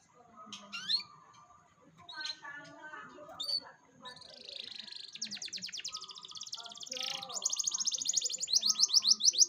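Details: Canary song played as a lure to get a young canary to start singing: murmured chatter and short chirps first, then from about five seconds a fast, high, rattling trill of rapidly repeated notes builds, growing louder to the end.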